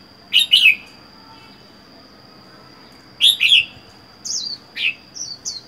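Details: Wild-caught red-whiskered bulbul kept by itself in a cage for four months: two loud, rich warbled phrases about three seconds apart, then softer short descending whistles, with a thin continuous high whine behind.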